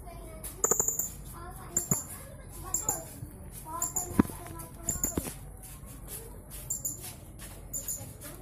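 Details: Blue-crowned hanging parrot, a kept bird entered in an online singing contest in West Kalimantan, gives thin, very high, sibilant chirps in short bursts about once a second, with people talking and other background sounds.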